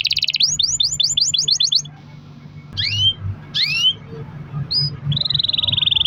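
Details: Canary song for luring other canaries into singing: a quick rattling trill of rising notes, a pause, a few separate upswept whistles, then a buzzy sustained trill at the end over faint background noise.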